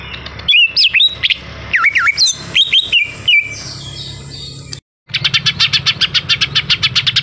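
Greater green leafbird singing loud, varied whistles that swoop up and down, then, after a short break, a fast run of sharp repeated chattering notes.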